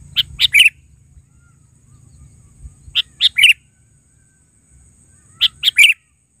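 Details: Kutilang, the sooty-headed bulbul, calling actively: three short bubbly phrases, each of three or four rapid chirped notes ending in a slurred note, spaced about two and a half seconds apart, with a soft low hum early on.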